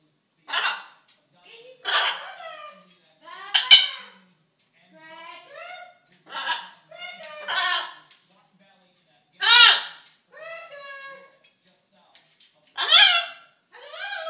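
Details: A hungry pet macaw seeking attention talks in speech-like, harmonic syllables, broken by harsh squawking bursts every few seconds, with quiet pauses between.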